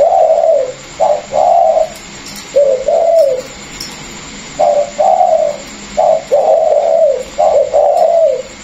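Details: Caged Vietnamese spotted dove, one of a pair comprising a seasoned decoy and a freshly caught wild bird, cooing in clipped two- and three-note phrases, low and hollow, with quiet gaps between bursts.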